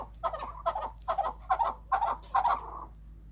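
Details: Farm-bred chukar from Quetta, Balochistan, giving a series of six short, husky clucking bursts in about three seconds. Each burst is a rapid chuk-chuk cluster, roughly two per second, against a faint low hum.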